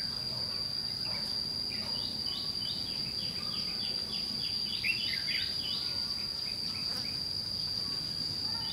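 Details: Red-whiskered bulbul, white-cheeked, fighting song used as a lure in trapping, scolding the decoy bird: many short chirpy, slurred phrases repeated through the clip, over a steady high insect whine and low background rumble.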